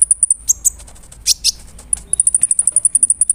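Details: Big-bodied brown-throated sunbird in full song, used as a lure to provoke rival sunbirds. It gives high thin chirps, two brief buzzy bursts, then a fast, even run of about fifteen piercing ticks.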